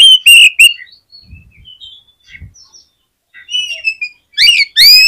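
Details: Vigorously singing oriental magpie-robin, a recording to coax other magpie-robins into song: loud ringing slurs at the start, soft scattered whistles and chips in the middle, then two loud rising phrases.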